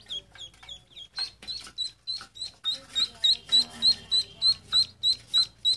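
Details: Ducklings chirping in a quick, regular series of short high peeps, each a brief sweep, about three per second and rising in loudness toward the end.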